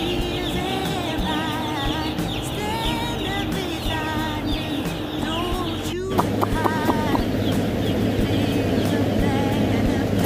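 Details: Broiler chickens on a farm approach their keeper, unafraid, as though the keeper were their mother hen. Clear repeated peeping calls rise and fall for about five seconds, then a sudden loud burst of broad, steady noise takes over.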